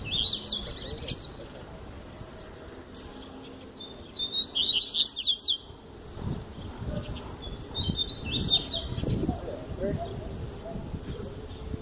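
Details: Double-collared seedeater, a kept song bird, delivering bright, high twittered phrases of quick slurred notes, several bursts separated by quieter gaps, over low rumbling background noise.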